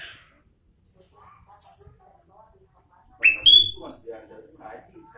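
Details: Sooty-headed bulbul singing vigorously: after a near-silent start, a loud burst of clear, sharp whistled notes, then softer chattering phrases trailing off.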